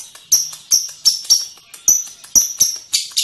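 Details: Lovebird uttering a series of sharp, high chirps roughly three per second, each with a harsh edge, over a thin, steady high tone.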